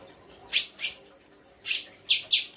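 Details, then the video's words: Songbird with 'isian' learned song: loud high rasping double notes, followed after a pause by a harsh chirp and two quick bright notes. "FULL ISIAN RAI GOSONG K9NCER"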